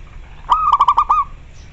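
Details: Zebra dove of the local type calling: a single rapid phrase of about six staccato cooing pulses, rolling and bubbly, ending in a slightly drawn-out note, in a quiet setting.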